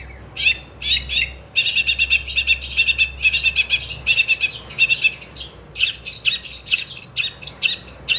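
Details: Long-tailed shrike singing energetically, recorded as tutor material for songbird training: long chattering runs of rapid, buzzy repeated notes, shifting into jerky twittered phrases, loud and nearly continuous.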